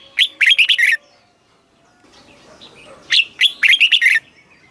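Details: Caged red-whiskered bulbul in Thailand singing southern master-style phrases for rousing and training birds: two fast bursts of about six clear, rippling whistled notes separated by roughly two seconds of soft background noise.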